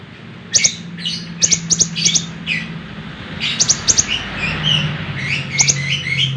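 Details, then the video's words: Lemon-bellied white-eye singing actively, recorded for training other songbirds: sharp high chirps and short slurred whistles in irregular bursts, with a low steady hum underneath. "suara burung konin gacor cocok buat masteran"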